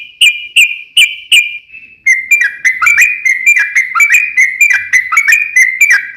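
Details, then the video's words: Yellow-vented bulbul song used as a lure to make other bulbuls sing: several clear sliding whistles, then a fast, steady run of short whistled notes, each dipping in pitch. "KICAU SUARA trucukan gacor ropel panjang pancingan trucukan agar bunyi"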